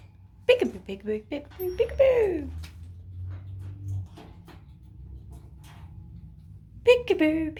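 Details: A cheeky foster Quaker parrot kept indoors with another parrot. A burst of speech-like chatter ends in a drawn-out falling note. After a quiet pause with low hum, a second speech-like phrase follows.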